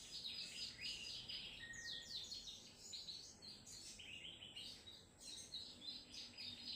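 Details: Sogon trotol giving an energetic song of quick, high chips and short sliding notes, repeated several times a second in uneven bursts, with a faint low hum behind.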